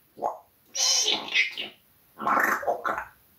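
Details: Pet parrot indoors swearing at the cat, uttering Russian words in a rough, humanlike voice: a short low syllable, then two longer bright raspy phrases, a pause, and a final burst of two quick phrases in a small room.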